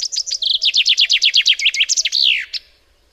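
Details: Chaffinch song phrase: rapid bright chips accelerate into a dense, rattling series of descending notes, then close with a long downward-sliding flourish and one short final note, all within about two and a half seconds.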